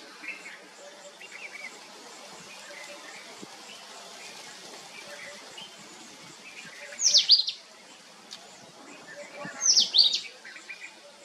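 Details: Sunbird family: two loud bursts of high, sharply descending chirps several seconds apart, faint twitters and a constant high insect whine behind.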